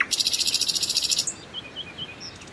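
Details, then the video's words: Common nightingale song phrase: a fast, dry, buzzy rattle lasting over a second, followed by a few soft, brief whistled notes. "أجمل تغريد لطائر العندليب او طائر الحسنية"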